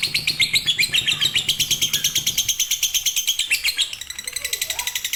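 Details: Lovebird in konslet or fighter style, a master for reluctant singers: rapid, buzzy high chirps repeated in a fast, even chain that fades slightly near the end, with a brief lower warble.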